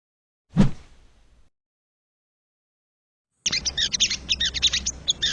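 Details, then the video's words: Wild crested jay, recorded as training audio to excite caged birds. A single dull thump, a long silence, then two seconds of rapid, high, scratchy chattering notes in dense clusters. "MASTERAN BURUNG SOGON SUARA ASLI SOGON LIAR"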